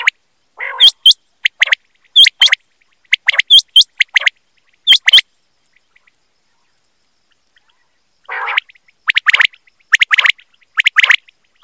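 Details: Quail calling for a hunting recording: a run of sharp, hooked notes in twos and threes, a pause of near silence, then a harsh burst and fresh clusters of loud clipped notes.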